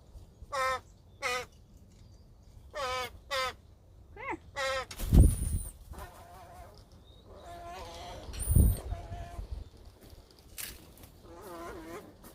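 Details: Two imprinted, non-releasable American crows (Corvus brachyrhynchos), educational ambassadors at a wildlife rehab center, during a training session on 9 November 2020, trade short hoarse caws, then softer mumbling calls to each other; quiet speech and handling thumps.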